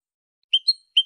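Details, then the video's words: European goldfinch male calling with short paired chirps, a sharp high note followed by a slightly higher thin one, repeated once; background silent. "canto del jilguero limpio"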